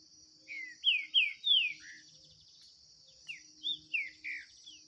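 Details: Green-winged saltator dueling in song in 2023 with a wild bird in the bush. A loud series of four falling whistled notes, then a quieter phrase of four short slurred whistles, with an insect drone and a low hum.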